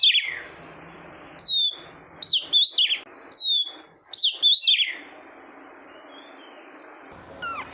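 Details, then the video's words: Female oriental magpie-robin stimulating the male: one opening falling note, then a string of bright whistled slurs and trilled notes lasting about three seconds, followed by near silence and a final rising chirp. "Tiếng chòe than mái kích Trống"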